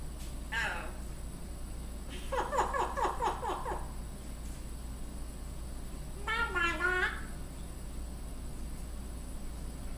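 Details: Solomon Island eclectus parrot indoors talking and singing "You Are My Sunshine": a short squeaky note, then a rapid run of repeated harmonic syllables, then a wavering, sliding sung phrase over steady low room hum.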